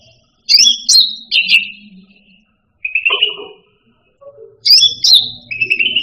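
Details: Cucak rante pet songbird giving sharp, high slurred notes in bursts with short gaps, then a chattering trill. A faint low hum runs beneath.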